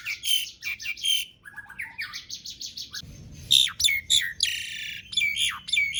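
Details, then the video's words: Asian pied starling singing in long rolls to set off silent starlings; quick chattering runs, rapid trilled notes and harsh squawks tipped with whistles, delivered in fast, uneven bursts. "Jalak Suren Gacor Dor Ngerol Panjang Ampuh Buat Pancingan Jalak Macet Agar Bunyi"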